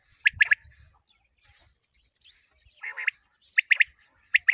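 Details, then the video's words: Short sharp chirp triplets from common quail, a hunting lure for morning, come in separated bursts with quiet pauses between and a soft rasping note midway. "Batair ki awaz | common quail calling"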